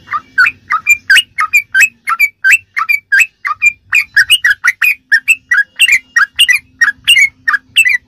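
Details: Sooty-headed bulbul in ropelan song, a rapid tutoring style used to train captive birds: a steady run of short, liquid, bubbly whistled notes, mostly rising or falling, packed closely for about eight seconds, with a faint low hum beneath.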